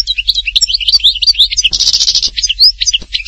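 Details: Lively goldfinch song from Htatba in Tipaza, Algeria: dense, rapid twittering with rising chirps, interrupted mid-phrase by a half-second buzzy trill, then more bright twitters.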